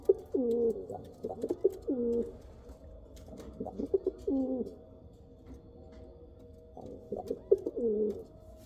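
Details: Kal Cheeni and Rampuri pigeons give pulsing coos that bend downward, in three bursts separated by quiet spells of about two seconds, over a low steady hum.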